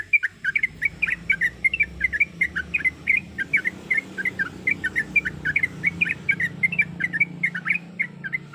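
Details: Sooty-headed bulbul hen in breeding condition calling her mate with repeated brisk, squeaky chirps at a quick, uneven rhythm over a soft low-pitched background hum.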